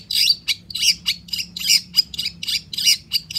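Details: Long-tailed shrike (cendet) giving an energetic lure song for shrikes that rarely sing: loud, harsh, buzzy bursts repeated about once every third of a second in an insistent rasping series.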